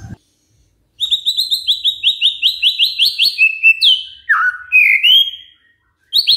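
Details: White-rumped shama song used as a lure to make other shamas sing: a fast series of short rising whistles repeated about twice a second, then lower swooping slurred notes, with brief silences between phrases.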